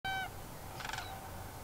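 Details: A sandhill crane, one of a few seen dancing on Sauvie Island, Oregon, on the morning of 13 November 2022, gives a short, rich, rolling note, then a brief rattling burst, with steady low background noise.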